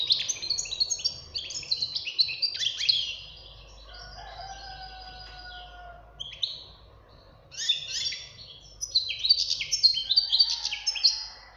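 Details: Goldfinch chick's song: dense bursts of tinkling, twittering notes, a quieter stretch with a faint sustained low tone, then a second lively run of chirps and trills.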